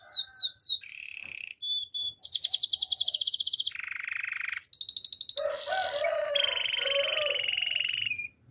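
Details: Singing canary in a training song, Spanish Timbrado style: a series of changing tours, with swooping whistles, rapid pulsed rolls, metallic trills and a lower warbled passage, with little background noise.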